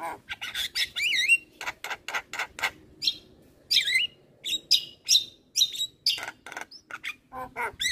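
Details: Busy Javan myna song meant to spur quiet mynas into singing: quick series of sharp clicks and chirps mixed with wavering whistled slurs and buzzy notes, rhythmically repeated.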